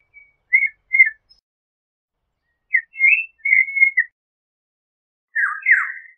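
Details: Oriole song in three bursts: paired clear whistles, then a longer flowing yodel-like phrase, then a dense, slightly rough warble near the end.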